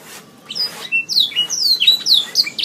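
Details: Brief canary song phrase from a training recording for songbirds: a faint start, then bright downward-slurred whistles and twittering notes in quick succession.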